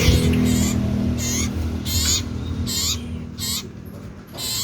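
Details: Strident common iora, locally cipoh sirtu, producing a series of short, hoarse, buzzing notes, several per second, fading slightly toward the end, with a low steady hum beneath.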